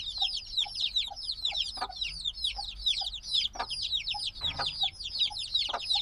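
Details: Black baby chicks, hatched a few days ago and still needing warmth, peeping noisily as a group: dense overlapping high descending chirps, constant and shrill, with occasional soft clicks and thumps beneath.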